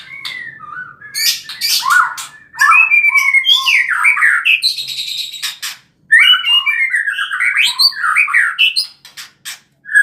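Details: Wild white-rumped shama singing in forest at Bohorok: a rich, varied song of fast whistled phrases, slurred rising and falling notes and sharp chips, delivered in bursts separated by short pauses.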